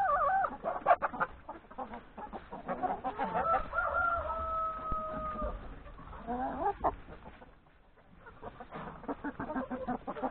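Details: Chickens, hens and three roosters eating breakfast in the yard before forest grazing; wavering clucks, then a long level rooster crow of about two seconds, followed by scattered clucking.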